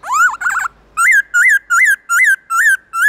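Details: A black-throated laughingthrush sings a wild-type song in the morning, used to train captive birds: a rapid warbled burst, then a series of loud, rich whistles with an upslurred, arched shape, about three per second.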